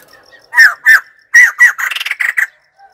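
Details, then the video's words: Call of a white-crested laughingthrush: two loud, hoarse notes, a pause, two more, then a quick rattling run of harsh chatter. "White crested laughingthrush call"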